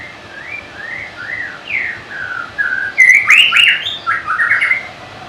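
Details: Song of a White-rumped shama, a bird known for varied melodious song and mimicry: separate clear whistled slurs, rising and falling, build into loud, fast trilled phrases.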